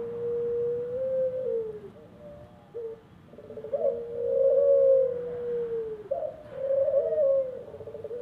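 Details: Ringneck doves kept in an aviary: smooth, low, hollow coos drawn out over a second or more, each gently rising then sliding down, with a short break between phrases and a steady low hum behind.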